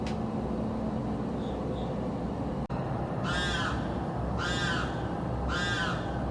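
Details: Unidentified South Florida bird screaming constantly day and night; after a quiet stretch with a sharp click, three raspy, hoarse screams come about a second apart.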